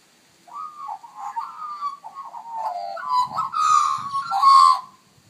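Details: A juvenile and an adult magpie sing back in response to a person's whistling: a warbling, fluting song of gliding mid-pitched notes that rises into a louder, rougher burst near the end.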